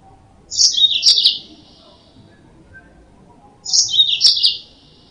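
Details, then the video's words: Yellow-fronted canary singing, used as a trapping lure: a brief high twittering burst of quick descending chirps, then silence, then a matching burst about three seconds later, against faint low background hiss. "Suara Burung Mozambik Buat Pancingan"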